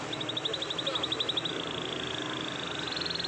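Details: Canary in the morning delivering a long roll: a rapid, evenly repeated high trill of short notes, shifting into a smoother sustained roll that rises slightly at the end, over faint background hiss.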